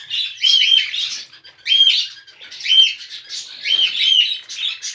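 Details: Cockatiel song played to encourage mating; bursts of high chattering warbles with short whistled notes, in phrases of about a second separated by brief pauses.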